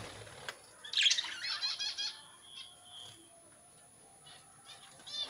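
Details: Budgerigars in a colony where babies have emerged: one bird gives a bright run of stacked, rippling warbled notes, followed by sparse soft chirps and a thin sustained whistle.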